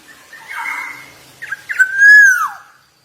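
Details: Javan black-naped oriole, singing actively: a soft wavering whistle, then quick sharp notes and one loud, rich fluting whistle that holds and then falls away.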